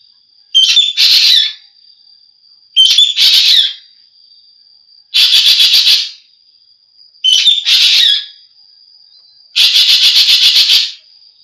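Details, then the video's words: Ekek geling, a green magpie, in audio for training songbirds: five loud phrases alternating squeaky harsh bursts with longer pulsing rattles, about every two seconds, over a faint steady high tone. "suara burung ekek geling"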